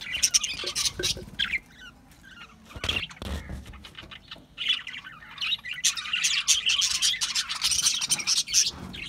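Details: Budgies twitter in scattered bursts at first, with a quieter gap, then build into a dense, steady stream of high scratchy warbling chatter.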